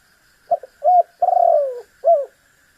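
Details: A single spotted dove phrase, played to make a rival bird answer: a quick double note, a short level coo, a long vibrating downward coo, and a final short rounded coo, over a quiet background hum.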